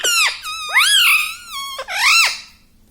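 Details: Indoor talking parrot, said to say mummy and papa; three loud, rich, voice-like harmonic syllables that swoop up and down, like spoken words, filling the whole stretch.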